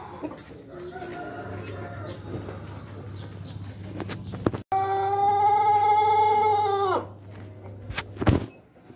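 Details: Ornamental Pelung chicken from Indonesia, a non-fighting breed prized for its distinctive voice, delivers a long, smooth, sustained crow of about two seconds, richly harmonic and dropping away at the end, after quieter calls, with a low hum and a sharp knock.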